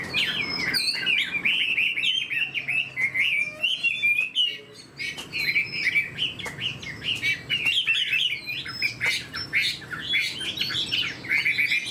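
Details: Lengthy outpouring from a fan-tailed Chinese hwamei kept in a cage, mixing quick warbled whistles with harsher squawky notes and a few short gaps, over faint room noise.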